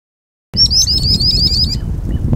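A common sandpiper gives a fast run of about a dozen high, thin piping notes over roughly a second, against a low rumble of wind or water.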